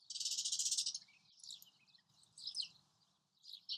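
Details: Semi-collared flycatcher, a small migrant in Kuwait: a high, buzzy rattle lasting about a second, then a few thin, scattered high chirps over faint background hiss.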